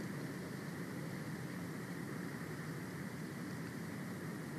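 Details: A steady roar of broadband noise, like wind on a microphone or a distant engine, with no animal voices.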